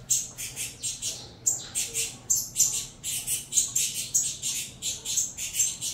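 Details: Hungry saffron finch chicks cry out as they are fed, a rhythmic run of hoarse, high squawks, about three each second, broken by a brief gap near the start.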